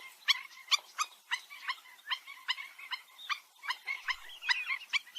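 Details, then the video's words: Black-winged stilt, called gagang bayam empang or burung anjing-anjingan locally. It gives sharp, dog-like yaps at irregular intervals, sometimes doubled or in quick clusters, over a quiet background. "Suara Burung Gagang Bayam Empang Atau (burung anjing anjingan)"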